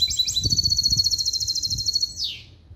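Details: Caged hybrid of a male European goldfinch and a female canary, trained in clean limpio goldfinch song, delivering a fast trill of repeated high, bright notes for about two seconds that ends in a falling slur.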